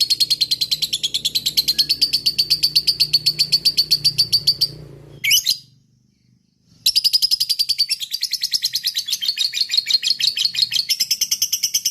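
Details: Lovebird, a single fighter in fighting mood, in long 'ngekek' chattering: a quick buzzy rattle for about five seconds, a brief sharp note, a silent gap, then the rattle starts again and continues.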